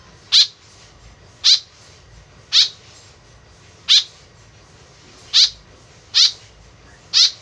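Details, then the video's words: Harsh calls of a tame white-breasted woodswallow, used to draw birds in: seven short, grating, nasal notes spaced roughly one second apart in a steady, unhurried rhythm. Low hum underneath. "BURUNG KEKEP BABI GACOR SUARA JADI PIKATAN . SUARA BURUNG KEKEP MENDEKAT"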